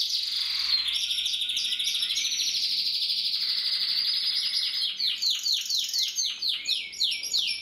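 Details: Gloster canary with a long sustained high trill and a lower steady whistle, ending in a run of loud, evenly spaced descending chirps.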